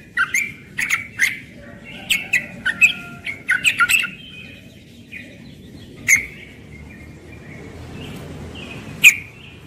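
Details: Morning song of a young yellow-vented bulbul in ropel style, an energetic run of bubbly whistled notes and clicks at first, thinning to scattered single notes and a few loud ticks.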